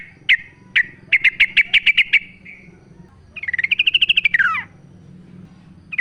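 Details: Forest-dwelling sooty-headed bulbul singing loudly, natural sound used to spur caged bulbuls to sing: two single chirps, a steady string of eight even notes, then a fast trill rising and falling in pitch.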